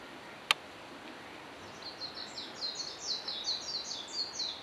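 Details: A White (Japanese pied) wagtail foraging on a mountain road lined with cherry and maple trees in northern Nara, Japan, apparently catching caterpillars, gives a rapid series of high, thin twittering chirps, several per second, after a single sharp click.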